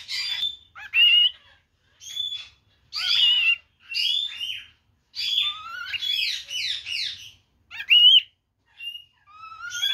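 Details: Pet parrot calling for its father and imitating a chicken: bursts of harsh squawks mixed with whistled rising and falling notes and short chatter, repeated in phrases roughly every second, indoors with little background.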